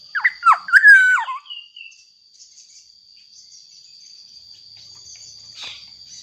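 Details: Black-naped oriole in persistent song, used to prompt other orioles to sing: a single loud liquid whistled phrase of swoops and a sustained note opens, followed by near quiet with faint chirps and a steady high whine.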